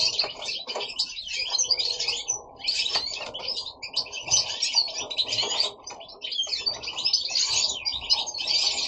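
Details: Indoor singing from a group of household goldfinches: bright twittering phrases broken by brief pauses, mixing tinkling notes, sharp chirps and fast jangling trills.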